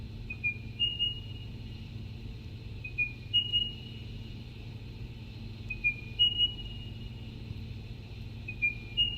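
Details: Ringing bell-type call of a spotted pardalote, the diamond bird of Canberra's eucalypt treetops, broadcast as a radio mystery call; a high, clear two-to-three-note phrase, a slurred drop then a higher note, repeated about every two and a half seconds over faint hum.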